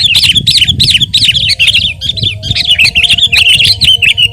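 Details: Lively Sooty-headed bulbul song: a steady stream of quick, bubbling, up-and-down chirps, repeated in tight succession over a soft low rumble.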